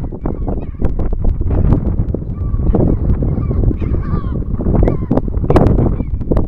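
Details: Brown (Subantarctic) skua at its nest giving harsh, nasal honking calls in short bursts, several per second, over heavy rumbling wind; the parents respond selectively to a human who previously visited the nest and measured the eggs and nestlings.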